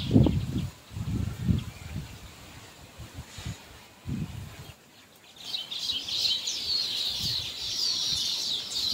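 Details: Zebra finch pair, caged birds: low thumps and rustling in the first half, then a dense stream of high, short, buzzy chirps and squeaky notes in the second half.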